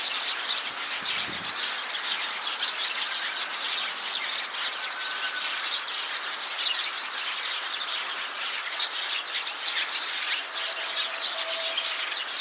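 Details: Eurasian tree sparrows calling as a flock inside a tree, with one bird that has left the group and seems restless; a dense, continuous chorus of high chirps and twitters fills the whole stretch without pause.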